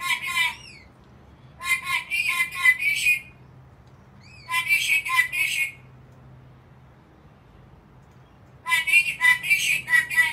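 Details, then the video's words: Black-capped lory in an angry mood, screeching in four bursts of rapid, buzzy, grating notes roughly every three seconds, separated by quiet stretches with a faint low hum indoors. "angry bird? Black capped lory"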